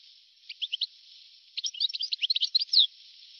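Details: Old 1982–1990 recording of a European goldfinch: a few quick chirps, a brief pause, then a dense rapid twitter of tinkling notes ending in a downslurred whistle. Thin, hissy sound.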